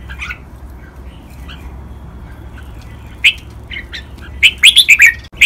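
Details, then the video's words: Red-whiskered bulbul singing in a Thai song-style collection (double 23 counted notes, master pattern, rattan-drag, Pa La-u forest song) for captive birds to copy: near-quiet start, then bright warbled chirping notes bunched near the end. "นกกรงหัวจุก | รวมเสียงร้องเบิ้ล 23 นับดอก แม่บท ลากหวาย เพลงป่าละอู"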